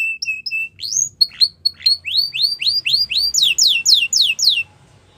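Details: Russian canary sings a training song. Soft steady notes open it, then rising, slurred whistled syllables repeat about twice a second and grow louder and higher toward the end.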